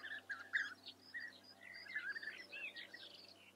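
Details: Eifel, Germany: a European bee-eater gives a few throaty, rolling call notes, loudest near the start, then softer repeated notes among busy high-pitched chirps from other birds.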